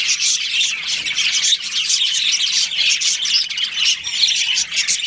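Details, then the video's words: Many budgerigars in a breeding colony calling at once, with steady high-pitched chirping and rasping squawks blending into one busy, unbroken chatter. "Cute Budgies Chirping Sounds"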